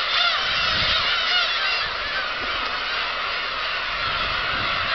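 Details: Many black-tailed gulls calling together as the flock takes off at Kabushima, Japan, 13 March 2016; overlapping nasal, mewing cries in a constant dense chorus, slightly louder in the first two seconds.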